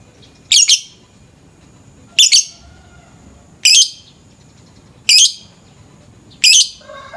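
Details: Lovebird calling in the morning for a lure recording: five loud, harsh, high double chirps spaced roughly every one and a half seconds against a quiet background.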